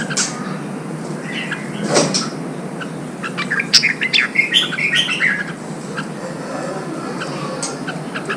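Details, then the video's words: Red-whiskered bulbul singing, used to stimulate newly caught birds and train them for singing contests: a cluster of short, liquid, warbled notes in mid-clip. Scattered faint chirps before and after over a steady background hiss. "Kích chào mào bổi hót, kích bổi sổ giọng, luyện chào mào hót đấu"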